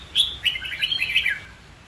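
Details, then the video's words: Red-whiskered bulbul, white-cheeked form, sung to train young birds and as fighting song; one fast, bubbly warbled phrase of slurred notes dropping at the end. "Luyện Chim Chào Mào Má Trắng Học Giọng Nhanh. Chào Mào Hót / Chào Mào Hót Đấu/Kích Bổi Hót"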